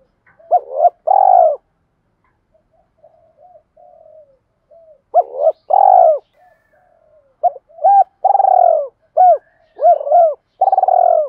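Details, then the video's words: Spotted dove provoking a fight and calling two young birds back: repeated hooked coos with long purring notes, and soft low murmuring coos in the gaps between phrases, no background noise. "cu gáy thúc đấu + gáy gọi hai hậu bổi nghe rất nhanh gáy và về cội nhanh luân"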